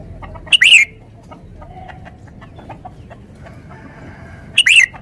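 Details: Red-whiskered bulbul uttering a brief bright warbled phrase, then near silence with soft clicks, then a second similar phrase about four seconds later.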